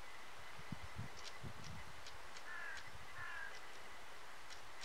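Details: Western Jackdaws on an evening near Lyon, countryside with cows nearby: two short, harsh, slightly nasal calls close together, preceded by low soft thuds and faint rustling under steady background hiss.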